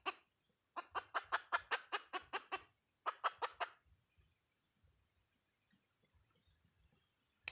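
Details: A hen clucks in two quick bursts of sharp notes separated by a brief gap, followed by quieter background rumbling and a thin steady high tone.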